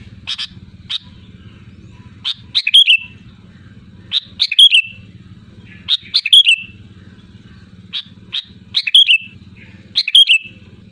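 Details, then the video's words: Lively, loud sooty-headed bulbul song: short chirps leading into quick bubbly whistled flourishes, repeated roughly every two seconds, with a steady low hum underneath. "SUARA ASLI GACOR LANTANG BURUNG KUTILANG"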